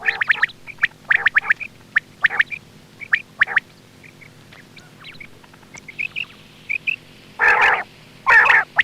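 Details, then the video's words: A quail calls in short, sharp chirped notes grouped in quick bursts about once a second, ending with two longer, harsher rasping bursts, as a hunting lure sound. "Quail bird sound for hunting"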